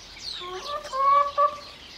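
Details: Hens clucking in a brief burst, a few short harmonic notes followed by two louder, slightly longer nasal calls close together.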